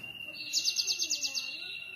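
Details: A Java sparrow (Padda oryzivora) sings a quick run of about eight high, tinkling notes lasting under a second, over a steady thin high-pitched whine.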